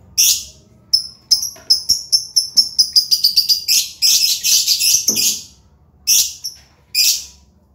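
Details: Lovebirds singing vigorously (gacor) amid sleeping and paired birds; sharp high chirps repeated faster and faster into a dense shrill chatter, then two isolated loud squeaky notes.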